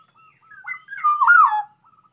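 Black-naped oriole singing a liquid, fluty whistled phrase that slides up and down, breaking into a harsher, buzzy burst in the middle; no other sounds.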